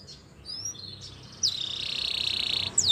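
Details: Canary song meant for training young birds: a few soft high whistled slides, then a steady, sustained high rolling trill lasting over a second, ending in a sharp upward note, over faint background hiss.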